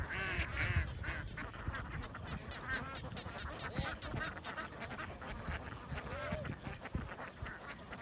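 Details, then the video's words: Large flock of young domestic ducks on a farm in Vietnam, many birds calling at once in a dense, overlapping chorus of short harsh quacks and nasal notes, with rumbling low background noise throughout. "Duck huge flock of young millionaires"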